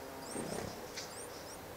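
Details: Eurasian wren brood at the nest, 15 August 2011: a quick run of thin, very high squeaky notes, several short upward-slurred chirps close together over a steady hiss with low background rumble.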